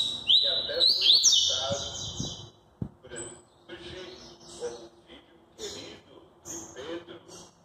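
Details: A Double-collared seedeater delivers maresia song: sharp, ringing whistled phrases that climb and twist at the start, then a string of quieter, clipped chirps. A brief click and low background murmur are also heard.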